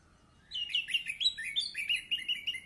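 An orange-headed thrush breaks into a fast, unbroken warble of varied high phrases, sliding and twisting without pause, over a quiet background.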